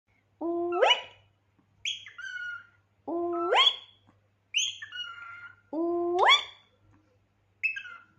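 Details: A pet cockatiel (Nymphicus hollandicus) gives loud, rising, harmonic squawks about every two and a half seconds, each followed by a higher chirpy note, in an otherwise quiet room. Cockatiel.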